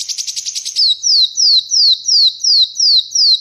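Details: Ruby-cheeked sunbird singing freely while held in the hand, with no cage: a fast run of high buzzy notes, then a series of thin whistles sliding downward, about three each second.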